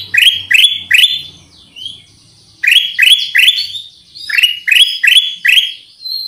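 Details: Black-crested Bulbul (kutilang emas) calling to lure birds: three groups of quick, rising chirps, each group of three or four notes, separated by short pauses with faint thin whistles.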